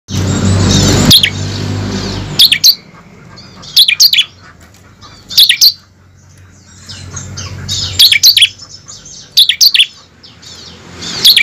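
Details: Bar-winged prinia song, played as a lure to get captive birds singing: short, sharp, high chirping bursts in clusters about every one and a half seconds, after an opening second of loud low rumbling noise.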